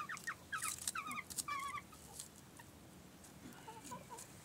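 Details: Several chickens gossiping at 17:00 in March at a warm 15 degrees: a quick burst of loud, ringing clucks over the first two seconds, then fainter scattered clucks against quiet background.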